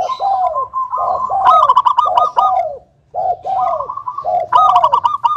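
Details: [6, 'Zebra dove of local stock singing to draw other doves into song: falling coos in pairs alternating with rapid staccato bursts, a brief silence midway, then the pattern repeats.']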